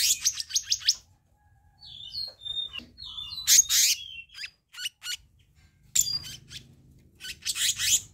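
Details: Black-naped monarch, recorded for luring and training birds: quick runs of sharp buzzy chips alternating with short clear whistles, loud grating bursts and rapid repeated notes near the end.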